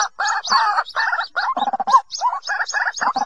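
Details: Harsh, gargled bursts of white-breasted waterhen calling, from a lure recording played to trap birds in the 2020 season, broken by brief gaps and a few low rattling notes.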